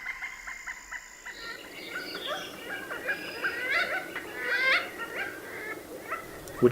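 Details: Pileated Woodpecker, commonly heard across Kentucky, gives a loud, uneven run of harsh ringing notes that rise and fall over a few seconds above a faint hiss.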